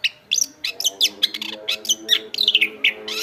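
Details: Chestnut-backed thrush singing energetically as a tutor song: rapid sequence of sharp whistled notes and short rising and falling slurs, closely spaced. Faint steady low tones sound in the background.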